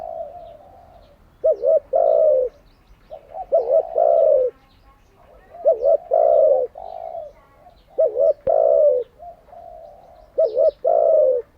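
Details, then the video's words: Cooing of a spotted dove, recorded to train decoy birds daily. Low mellow coo phrases of a quick double note followed by a longer hollow coo, repeated about every two to three seconds. "Tiếng chim cu gáy mới nhất, dùng luyện chim gáy bổi và mồi hàng ngày"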